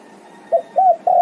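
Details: Spotted dove calling to its companions: three short, soft, mid-pitched coos, the last one longest and steady, against a faint background hum.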